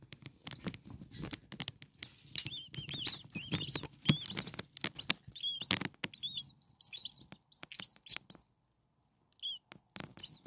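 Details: A brood of six hungry starling babies, only a few days old, in their nest. They make a dense, overlapping chorus of shrill, arched squeaks mixed with scratchy rustling and tapping, then fall quieter with scattered squeaks near the end.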